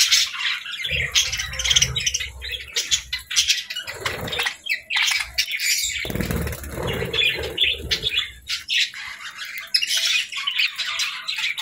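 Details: Joyful budgie chatter: rasping, fluttery twitters and quick chirps in uneven bursts, with short pauses and soft low bumps beneath.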